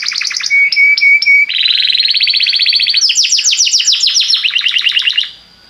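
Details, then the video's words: Belgian canary song meant to set other canaries singing: a few clear whistles lead into rapid rolling trills that shift upward in pitch and stay loud and continuous before stopping abruptly. "O canto do canário belga faz com que seu canário cante sem parar"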